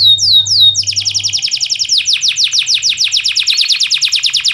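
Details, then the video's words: Canary song for training reluctant canaries to sing: a few sweeping whistles leading into a long rapid trill of repeated downslurred notes. "BURUNG KENARI GACOR⁉️ Cocok UnTuk MASTERAN KENARI malas bunyi"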